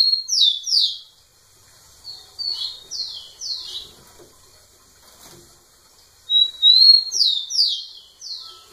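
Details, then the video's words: Rufous-collared sparrow singing hard toward a female: loud falling whistled notes opening, a second softer phrase of slurred descending notes, then a long thin whistle leading into strong downslurs and a quick upper flourish. "Tico tico cantando muito na cara da fêmea"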